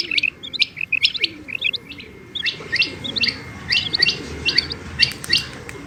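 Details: Female rain quail calling: short, sharp, high chirps rising in pitch, given in quick irregular bursts of two or three, with a soft low rumble behind.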